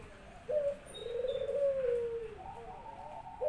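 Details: Barbary dove kept as a home pet, singing eagerly when its owner comes back from work. It gives a brief low note, then a long drawn, rolling coo that dips at the end, followed by further coo notes.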